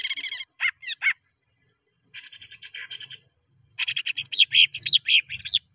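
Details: Greater green leafbird song for luring caged birds into singing: sharp chattering phrases, a soft trill, then strongly rising and falling whistled notes, with light rustling below.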